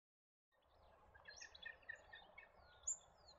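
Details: European goldfinch (Carduelis carduelis) in Australia, where it is introduced, giving short, tinkling high notes in a quick run, then one thin sharp whistle, against steady outdoor background noise.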